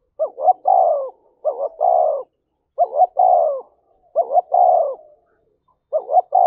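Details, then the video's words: Spotted dove cooing to provoke a fight, giving five rapid phrases about one second apart, each two quick hooked notes and a long mellow falling coo, clear and steady. "tiếng chim cu gáy thúc đấu"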